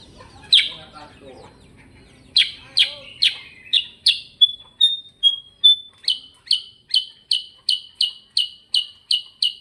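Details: Sooty-headed bulbul in gacor ngerol song: one chirp, a brief gap, then a run of sharp bright notes interrupted by a few short level whistles and picking up again as a fast, even series of chirps.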